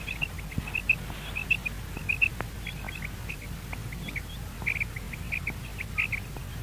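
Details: Common quail calling for morning hunting: faint, short, liquid notes in clusters of two or three, repeated about every half second over a steady hiss of background noise.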